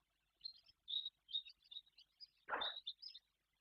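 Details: Barn swallow giving quick, high twittering chirps in short bursts, with one louder harsh, scratchy note partway through, at a nest in Guangdong, China, where swallows stayed through the winter instead of migrating.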